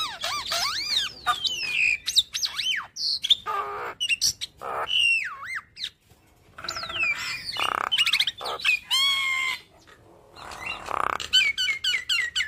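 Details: Javan myna with yellow eyes chattering in a lively medley of borrowed phrases: looping whistled swoops, sharp high chirps and raspy bursts in quick runs, broken by a brief pause near the middle.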